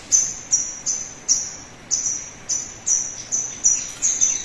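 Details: Sogon song used as a lure recording to get caged birds singing quickly: about eleven sharp, very high whistled notes, each sliding briefly and fading, repeated roughly every half second over a faint hiss.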